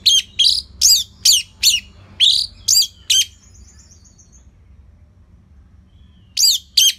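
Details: Orange-headed thrush singing steadily for use as a lure that teaches other birds: about eight sharp, high descending whistled notes in quick succession, a fading faint trill, a long silence, then two more notes.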